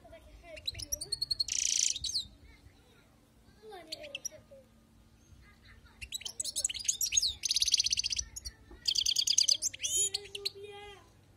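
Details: Wild-caught European goldfinch in song, with bursts of rapid, high, buzzy twittering separated by pauses. A lower whistled note sounds near the end, and faint background hum is present.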